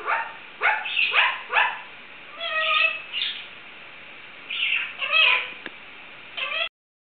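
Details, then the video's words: Pet Indian ringneck parakeet mimicking sounds such as a cat's meow: short harsh bursts early, then nasal tonal calls and a few quick chattering notes, separated by brief pauses. "My Indian ringneck barks, meows, makes chicken sounds and tries to sing!"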